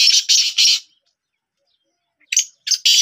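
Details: Black francolin kept as a pet, heard in training: three quick harsh rasps, about a second of silence, then three more grating notes.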